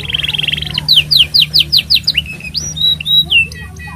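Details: Canary singing for use as a tutor to young canaries: opens with a fast rattling trill, then a string of loud, evenly spaced descending slurred notes, finishing with drawn-out whistles.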